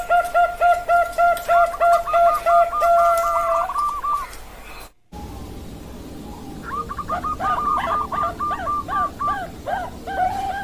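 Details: Bangkok perkutut zebra doves, October 2023: a quick run of hollow coos overlapped by a higher rolling trill, a brief cut, then more trilled and stuttering coos over a steady hiss of background noise.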